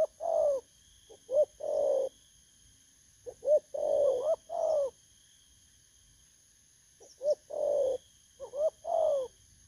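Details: A wild-caught spotted dove recorded 19 August 2024 coos in two bursts of phrases. Soft introductory notes lead to rising coos and longer, mellow, descending coos, with a silent gap midway and a faint steady high hum throughout.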